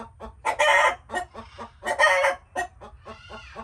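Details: Chickens squawking in harsh rising cackles with soft clucks between, two strong bursts and a fading thinner call at the end.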